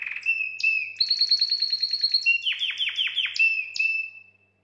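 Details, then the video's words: Canary breeding song intended to excite females: a sustained whistle opening into a long rapid trill, then a series of loud descending swoops and a final held whistle fading out. "Chant canari pour accouplement"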